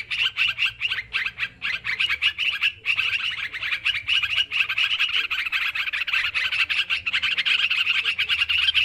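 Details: Sooty-headed bulbuls in a noisy luring recording: choppy bursts of sharp chirps at first, merging into a steady, busy chatter of many overlapping bright notes.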